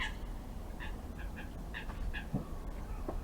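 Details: Live webcam at garden feeders with wild birds: a series of short, sharp high calls repeated about every half second, a dull thump partway through, and low background rumble.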